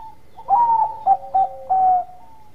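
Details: Cooing zebra dove, Bangkok type, calling to stir rival birds into answering. One phrase: a drawn-out first note, two short punchy hoots, then a long steady closing note trailing into a softer tone.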